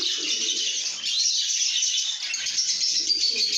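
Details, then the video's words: Happy lovebirds singing and chirping together, a steady wash of sharp high-pitched chatter that barely pauses, plus a softer low murmur at the start and end. "lovebirds make happy sounds"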